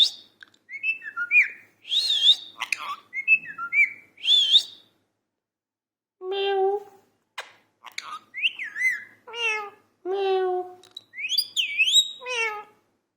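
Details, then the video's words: Talking parrot in a steady run of varied vocal imitation: quick slurred whistles and bent, wavering tones mixed with harsher harmonic speech-like syllables, a brief silent pause midway, then more rising whistles and voice-like phrases. "parrot talking 🐦. talking parrot 🐦."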